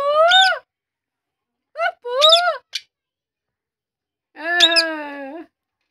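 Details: Pet parrot, locally called tota or mitthu, talking indoors: drawn-out nasal, harmonic voice-like phrases in short separated bursts, the last one long and level, with silence between.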